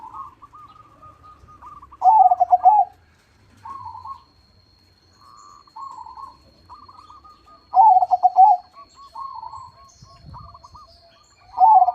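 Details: Vigorously singing crossbred zebra dove with a strong voice: three loud, quavering coo phrases spaced several seconds apart, while other doves keep up softer, shorter staccato cooing in between.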